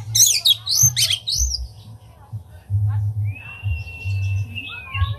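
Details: Oriental magpie-robin in full song, displaying with tail spread, used to stir other magpie-robins to sing: quick high arching whistles at first, a pause, then a long level whistle and short trailing notes above a constant low hum.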